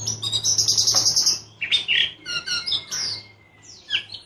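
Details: White-rumped shama singing, clear and coarse-toned: a fast string of high repeated notes, then varied whistles, a sweeping slur and scattered chips, with a steady low hum behind.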